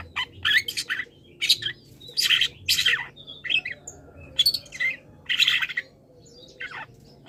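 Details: Long-tailed shrike song used as cage-bird master, rich in mimicked calls: loud rasping, buzzy bursts and short squawks in uneven groups, with thin whistled notes between and a faint steady hum.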